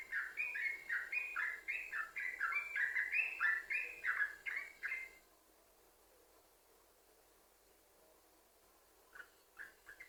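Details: Yellow-vented bulbul singing its linked 'sambung ropel' song, meant as a lure so other bulbuls start singing: about five seconds of dense, rollicking whistled notes, then near silence, then a few softer notes at the end.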